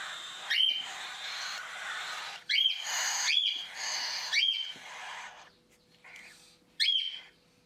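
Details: Cockatiel chicks, lifted from the nest box a couple of hours earlier and being hand-fed by syringe for the first time, give harsh rasping begging calls with a thin whistled edge in bursts every second or two as they show a feeding reaction, over a faint steady hum.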